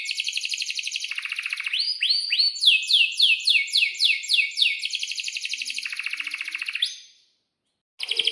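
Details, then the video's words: Atlantic canary 'gacor' song with long rolls: dense buzzy trills give way to a run of loud down-slurred whistled notes, several per second, then another buzzy trill, a short silence and a fresh burst. "kenari gacor panjang buat pancingan kenari paud belajar bunyi agar NYAUT"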